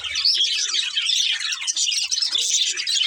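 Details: Budgerigars keep up loud, unbroken twittering: crowded high chirps and scratchy warbles layered together throughout.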